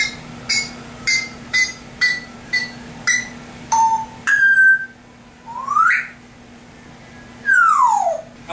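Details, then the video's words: Pet African grey parrot making whistled sound effects indoors: a run of six short, evenly spaced chirps, then a clear held whistle, a smooth rising whistle and finally a long falling whistle sweep, with quiet gaps between. "African grey parrot talking compilation"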